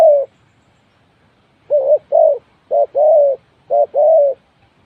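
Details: Decoy spotted dove kept for trapping, cooing in paired phrases, a short clipped note followed by a longer rounded croo, repeated about once a second in a quiet setting.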